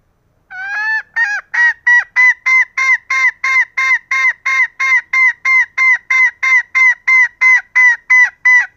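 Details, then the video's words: Female green junglefowl, vocal and used to draw lazy males into crowing, gives a loud, rhythmic run of about twenty clipped honking notes, three per second. A few slurred rising notes open the sequence before it settles, with no background noise. "Ayam hutan hijau Betina Gacor Cocok Untuk pancing Pejantan yang malas koker"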